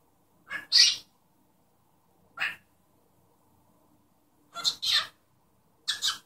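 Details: Cockatiel kept as a pet, mimicking its owner's sneeze and talking: sharp, hissy double bursts separated by silent gaps of one to two seconds, in a quiet room.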